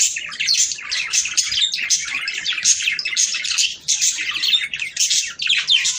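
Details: Budgerigars chattering for breeding stimulation: fast, dense run of sharp chirps and rasping twitters, almost without a break for six seconds.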